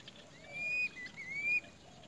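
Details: A great myna near its nest gives two clear, high whistled notes, each sliding upward then holding steady, spaced about half a second apart over a soft background hiss.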